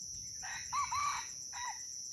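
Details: Red junglefowl crowing at Bukit Sibreh in Aceh during a crowing contest: a short, hoarse, clipped crow in two bursts, then a brief third note, over a steady high insect-like hiss.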